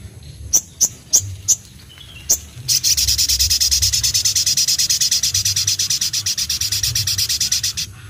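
Crimson Sunbird: a few sharp high chips, then a long, very fast, thin, high-pitched buzzy trill of rapid repeated notes.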